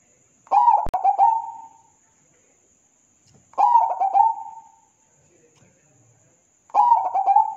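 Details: Zebra dove (perkutut) song for a masteran tutor recording: three low, rolling coo phrases, each a quick stutter of notes sliding into a drawn-out purr, about three seconds apart; a faint steady high electronic whine runs throughout.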